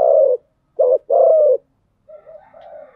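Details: Spotted dove cooing played as a lure to stir wild doves: low, hollow paired coos, a brief note followed by a drawn-out one, then a softer wavering coo trailing off, no other sounds.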